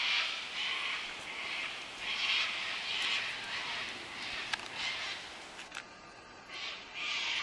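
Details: Cockatoos in a flock flying in the Blue Mountains, Australia, giving grating squawks at irregular intervals. The calls sound more distant and mixed, with a sharp click near the middle and a brief quiet gap near the end.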